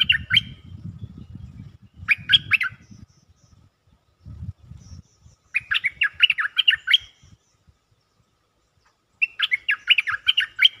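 Stripe-throated bulbul singing bright, bubbly phrases of quick liquid notes in bursts a few seconds apart, with low rumbling background noise early on.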